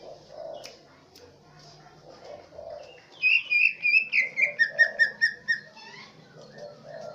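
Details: Swiftlet-style mimicry from a green leafbird in Aceh Tengah: after a quiet start, a rapid burst of a dozen clipped, ticking chirps arrives at a steady pace, then fades. Low cooing calls continue in the background.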